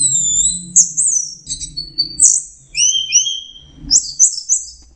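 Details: Orange-headed thrush singing in full flow: a run of high, sweet whistled notes in varied short phrases, some sliding down and some rising, each separated by brief gaps, over a quiet low background hum.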